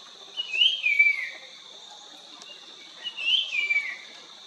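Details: A Puff-throated babbler singing in Nandhi Hills, Karnataka, on 1 February 2022 gives two sweet, slurred whistled phrases falling in pitch, about three seconds apart, over a steady high insect drone.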